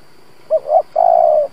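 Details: Spotted dove kept as a decoy to provoke wild doves gives a single gù coo phrase: a short, then a slightly longer, low note, then one long, level, mellow coo.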